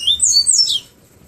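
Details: Short afternoon song fragment of a Bahia seedeater from Pero Vaz, Salvador, flautado style: a brief run of high, sliding whistled notes lasting under a second over a soft low rumble.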